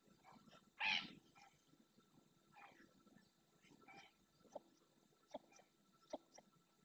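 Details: In the Doñana National Park marshland of Spain, a ringed red-knobbed coot utters one loud, rasping, broadband call early on, followed by several fainter, shorter notes and clicks over quiet wetland background.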